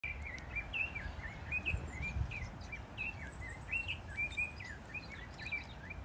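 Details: Diamond firetail (Stagonopleura guttata), calls.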